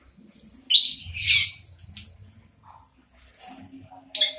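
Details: Local orange-headed thrush song, played as a lure to get silent birds singing: loud high-pitched whistled and chattering phrases with quick upward slurs, separated by short pauses, over a faint low hum.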